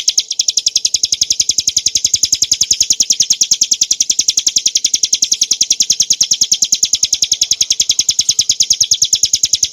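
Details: Caged hill prinia (ciblek gunung) singing a loud, bright song used as tutor material for other cage birds: a fast, high buzzy note repeated steadily about three to four times a second without pause for the whole stretch.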